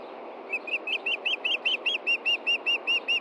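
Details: Wild osprey at a Montana nest on 23 June 2013 around 8 pm, the male looking for a fish the female had hidden after feeding the chicks. About fourteen sharp whistled chirps follow in a fast, steady run over a low steady hiss.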